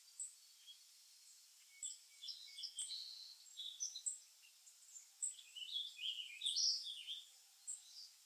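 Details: Chickadees feeding at a feeder on black oil sunflower seeds give high, thin chirping notes, some sliding down into lower buzzy tones, scattered irregularly with bursts clustering toward the end.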